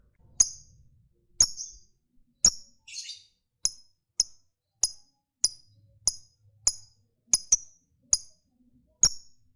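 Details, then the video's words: Lovebird used to spur other lovebirds into long ngekek trills utters short, thin, clipped chirps, about a dozen spaced irregularly under a second apart, with a brief raspy note midway and near-silent background. "SUARA BURUNG LOVEBIRD Gacor, JAGO NGETIK Bikin Lovebird Apapun Lekas TAMPIL NYAUT NGEKEK"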